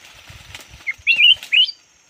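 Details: Decoy red-whiskered bulbul, yellow form, giving a short song: three quick warbled, rising whistled phrases near the end after faint rustling, with a steady high electronic whine throughout.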